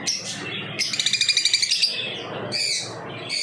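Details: Lovebirds chirping: a quick run of about ten sharp, evenly spaced high chirps in a burst lasting about one second, framed by shrill squeaky calls before and after.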